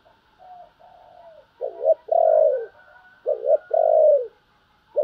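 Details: Spotted dove urging and calling coos: soft low coos, then two loud phrases, each a short wavering note and a long falling coo, about a second apart, with another beginning at the end.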